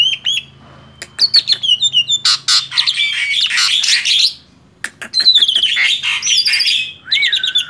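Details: Song of a tame male Black-winged starling: a steady whistle, then clicking notes and long buzzy, rasping passages, followed by rising and falling whistled phrases and a final drawn-out downslurred note.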